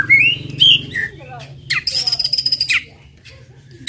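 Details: White-rumped shama song meant to provoke other birds: a few loud looping whistles, then scattered chips and a rapid buzzing rattle, with a low steady hum underneath.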